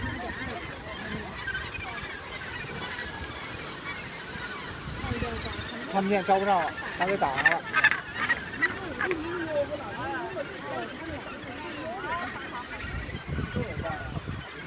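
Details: A gannet colony at Muriwai on Auckland's rugged west coast, New Zealand, the northernmost mainland gannet colony: many harsh, grating, honking calls overlap in a steady din, loudest midway, while people talk nearby.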